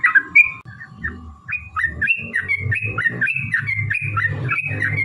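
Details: Yellow-vented bulbul fighting song, used as a lure to make other bulbuls sing: a few scattered notes give way to a continuous chain of warbled, slurred whistles, backed by low rumbling noise.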